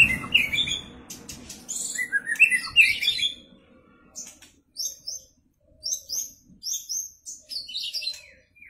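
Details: White-rumped shama ready to perform. Bright, short chirped notes, high and rapid, come in clustered bursts that are separated by brief pauses. Some low noise is heard at the start.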